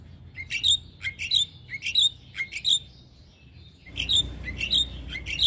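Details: Javan myna singing for cage-bird training: paired notes, a lower chirp followed by a higher clear whistle, repeated in quick groups, then a pause and a louder raspy series over background hiss.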